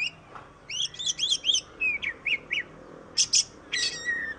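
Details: Oriental magpie-robin, known locally as kacer, singing a melodious phrase of high whistled notes: a rapid run of looping chirps followed by slurred and sharp separated notes, over faint low background hum.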